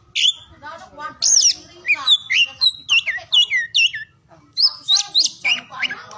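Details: Fast, varied oriental magpie-robin song of descending whistles and chattering notes delivered nearly without pause, used to rouse silent and reluctant magpie-robins to sing, morning through afternoon.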